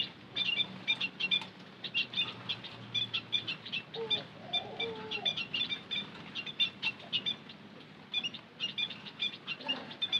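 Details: White-headed munia pancingan call: steady stream of sharp, high chirps from several birds, brisk and overlapping, with a soft lower warble around the middle.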